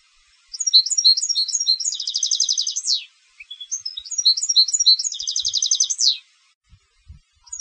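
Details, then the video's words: European goldfinch of competition lineage repeating its phrase twice: scattered high tinkling chirps leading into a rich buzzy trill that ends with a downward slur, each phrase about two and a half seconds, with faint low knocks afterwards. "Canto del Jilguero de Concurso"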